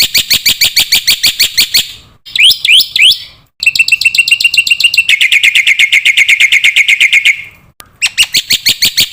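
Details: Black-winged myna singing on a masteran recording for young cage birds: varied fast series of loud metallic notes, a twisting whistled phrase, then long rapid rattling repetitions, separated by short silences.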